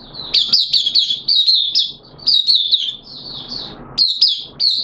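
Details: Oriental white-eye, a caged Mata Puteh, sings 'buka sing' on day two of its monthly deworming, 13 September 2022: bright, high twittering runs of quick slurred notes, one longer warbled phrase, then short chirpy bursts.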